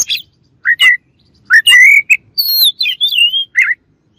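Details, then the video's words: Oriental magpie-robin song meant to provoke a rival bird into agitation. Loud, varied phrases: rich mid-pitched whistles, sharp high chirps and a long wavering whistled note, delivered in separate bursts with short silences between. "KACER LAWAN AUTO EMOSI DENGER INI"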